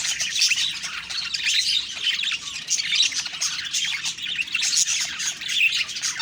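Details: Budgerigars chattering in the morning: a thick mix of squawky chirps and warbles from many birds at once, rising and falling in loudness.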